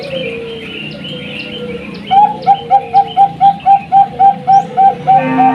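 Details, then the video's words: Bangkok zebra dove song used to prompt other doves into singing: after two seconds of background chirping, a rapid, evenly spaced series of soft, rounded coo notes begins and keeps going to the end. "pancingan perkutut bangkok suara gacor ampuh buat perkutut"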